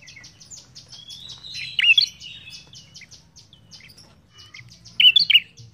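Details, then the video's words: Ashy tailorbird in lively song: two short bursts of loud, sharp, slurred notes about three seconds apart. Steady high chirping from other birds and a faint low hum fill the gaps. "Suara prenjak kepala merah gacor"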